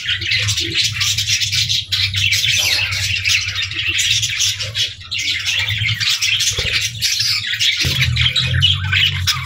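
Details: Playful budgerigars in the evening keep up a constant stream of scratchy, warbled chirps and squawks, with a steady low hum underneath that shifts pitch near the end.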